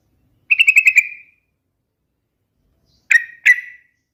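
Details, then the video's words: Trucukan, the sooty-headed bulbul, gives a rattling string of about six quick liquid notes that fade into a sustained tail, followed after a pause by two sharp, separate whistled notes. "SUARA BURUNG TRUCUKAN TERMERDU | The most melodious sound of the Trucukan bird"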